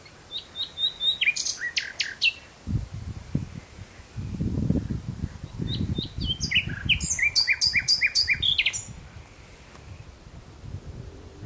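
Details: At sunset in June 2017, a common nightingale delivers rapid repeated whistled notes and sharp high phrases, over low rumbling background noise.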